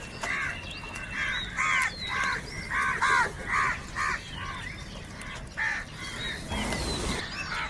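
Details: Crows fighting each other over food, calling loudly. Harsh, hoarse caws come in quick runs of about two a second, with a pause before a few more, over outdoor background noise.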